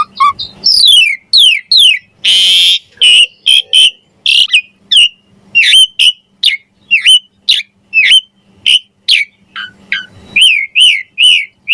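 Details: Javan pied starling pumping out mompa-style gacor song with varied fills: a steady stream of sharp, downslurred whistles and chips at a fast pace, broken by one harsh rasping burst near the start.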